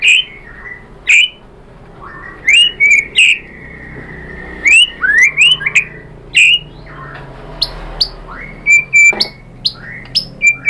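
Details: White-rumped shama song used as a lure to draw replies from other shamas: scattered loud whistled notes and sharp upward sweeps with pauses between, over a low steady hum.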